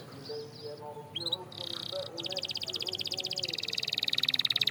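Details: Canary song, quieter over background hiss: scattered soft chirps, then a dense buzzy roll of rapidly repeated notes that grows louder toward the end.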